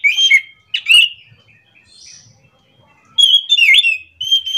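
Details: An orange-headed thrush sings in the morning. Energetic chattering runs of swooping whistled notes form short bursts, then a pause, then a denser rolling phrase. The style is described as ngerol.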